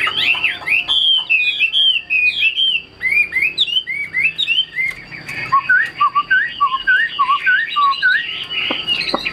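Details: Captive Chinese hwamei song: bright, varied whistled arcs at first, then a steady string of short, lower whistled notes with upward twists, repeated roughly twice a second.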